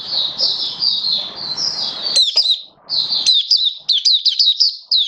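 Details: Caged oriental white-eye in build-up form singing 'buka' style: first a run of soft high warbles, then sharp, rapid sweeping chirps strung into lively phrases, separated by a short silence.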